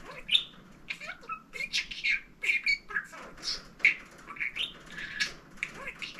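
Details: Pet male budgerigar talking a lot, having mimicked human phrases: fast, scratchy chatter of squeaky warbles, clicks and buzzy, speech-like syllables, continuous for six seconds, with a faint low room hum.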